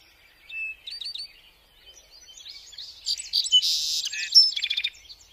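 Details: Song sparrow song: a few clear separate introductory notes, then a dense buzzy section leading into a rapid, ringing trill of high notes, loud against a quiet background.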